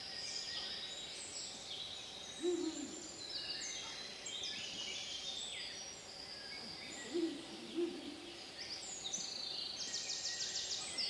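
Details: Male Ural owl honking in Šumava, Czech Republic, on May 31, 2016: deep, low hoots, first one, then a closer pair about five seconds later, over a busy chorus of high songbirds.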